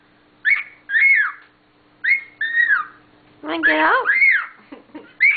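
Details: A pearl cockatiel sings clear arched whistles while trying to step up, pausing between phrases, with a harsher chattering burst near the end.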